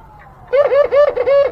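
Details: Zebra dove calling, said to sing sweetly to lure a rival: a run of soft, bubbling coos, short rising-and-falling notes repeated quickly after a brief pause.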